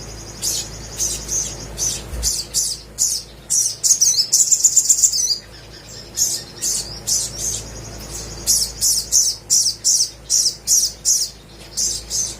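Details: Little spiderhunter singing vigorously as a lure for silent birds: short, sharp, high chirps repeated about two or three per second, a rapid rattling trill midway, then the steady chirping resumes.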